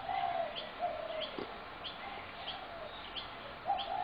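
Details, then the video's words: Spotted doves being fed in a Brooklyn Park backyard on 6 November 2016, many birds creating constant noise: low hollow coos repeat every second or so, overlaid by sharp high chirps from other small birds. "Spotted Dove Backyard Noise Disaster"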